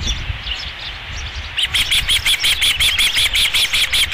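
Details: Osprey at the Dunrovin Ranch nest, 11 July 2016, around the second fish delivery: after a near-quiet start, an evenly spaced burst of shrill whistled chirps, roughly three per second.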